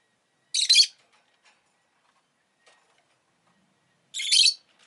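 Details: ['Two loud, grating chirps from a rosy-faced lovebird kept as a pet, spaced more than three seconds apart with near silence between.']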